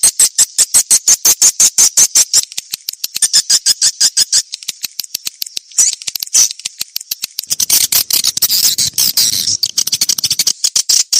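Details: Swiftlet lure call, the old-style 'SP jadul 1972' recording used to attract swiftlets: rapid, dense run of high, buzzy chirping pulses, about three per second, fading into softer rustling clicks and a hissy wash toward the end.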